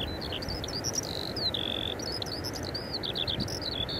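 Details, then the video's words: Eurasian skylark (Alauda arvensis) singing at Eyemouth on 30 May 2024: a high, unbroken stream of rapid chirps, trills and short whistled notes, with a low wind rumble underneath. "Feldlerche – Eurasian skylark – Alauda arvensis"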